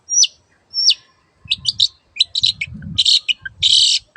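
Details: Long-tailed shrike in lively song: two sharp descending whistled notes, then bursts of harsh, scratchy chattering phrases high in pitch, with faint low rustling underneath.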